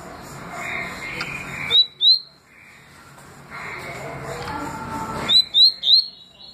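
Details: Double-collared seedeater singing in the styles called tui tui and deputado: two quick upslurred whistled notes, then a pause of steady hiss, then three more rising whistles in a fast run.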